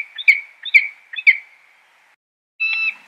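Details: Peregrine falcon giving three harsh, ringing notes in quick succession. After a pause comes one brief, flat, buzzy sound.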